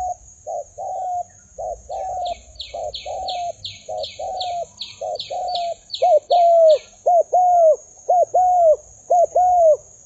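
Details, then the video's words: Decoy spotted dove fighting with wild birds, giving repeated mellow two-note coos roughly once a second, louder toward the end, while a thin, high, rapidly repeated chirping runs through the middle. "Pikat Tekukur Fight dengan Burung Liar"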